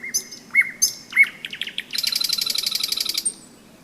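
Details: Nightingale trill on a May day near the Seversky Donets: loud piping notes, a quickening series of sharp chips, then a dense buzzing rattle of about one second, ending on a thin high note. Frogs croak softly below.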